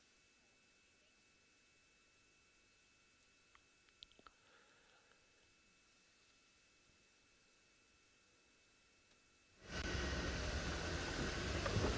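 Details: Near silence with a few faint clicks and a soft rustle, then a sudden loud rush of broadband noise for the last two seconds.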